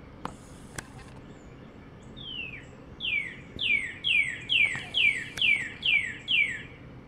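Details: Northern cardinal perched on a wire on a sunny spring day in 2022 in north central Florida; after one faint note, about eight loud, clear downslurred whistles repeat roughly every half second, strengthening toward the end, with light background hiss.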